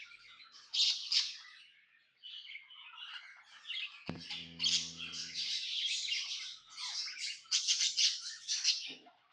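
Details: Happy budgie twittering in a steady scratchy warble with bright squeaks, while a brief low mechanical hum sounds in the middle.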